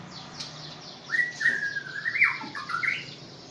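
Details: White-rumped shama from Aceh, described as an accomplished competition bird, giving a short run of clear whistled phrases, sliding up and down with a sharp rising flourish near the end, over a low steady hum.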